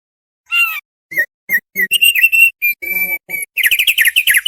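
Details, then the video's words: A Thick-billed White-eye (Indonesian opior paruh tebal) gives clear, short whistled phrases around one pitch, building into a rapid, bright chatter at the end; no other sounds. "suara burung OPIOR paruh tebal"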